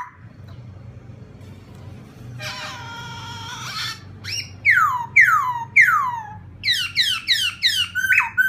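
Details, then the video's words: Laughingthrush singing to provoke another bird: a harsh, drawn-out harmonic wail, then a run of clear downslurred whistles and quick rising twitters repeated rapidly, with faint background hum. "khướu kích bổi"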